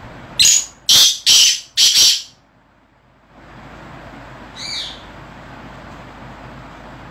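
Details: A black francolin in a decorated cage gives four loud, harsh, grating notes in quick succession, about two per second, then one fainter note after a pause, over a steady background hiss.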